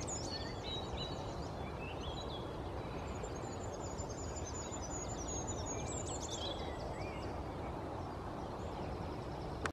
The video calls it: Goldcrest singing